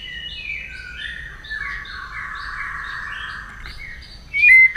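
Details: White-rumped shama morning song during voice training: sustained, overlapping whistled tones that step between higher and lower pitches, ending with a sudden louder sharp note.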